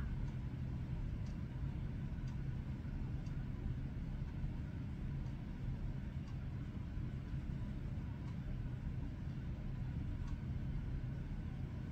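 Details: Steady low traffic rumble with faint regular ticks, and no animal voice anywhere.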